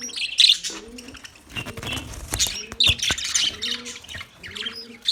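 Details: Budgerigars on 9 March 2024 in scattered bursts of high, buzzy chirping, with several clicks and low, mellow coos between them.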